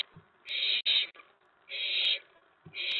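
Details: Harsh hissing screeches from an owlet getting excited at a nighttime mouse delivery, May 19, 2017. Three bursts come about once a second, the first broken by a brief gap, with soft knocks and shuffling underneath.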